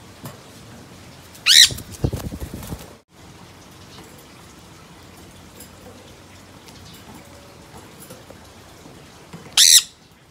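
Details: A green-cheeked conure among wild globe amaranth flowers gives two brief, harsh, high squawks several seconds apart, with soft rustling between.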